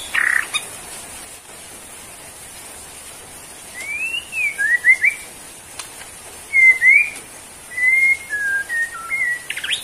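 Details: Caged white-rumped shama of the Borneo type giving spaced phrases of clear, sweeping whistles, some rising and some dropping, separated by short pauses, over a quiet background hiss.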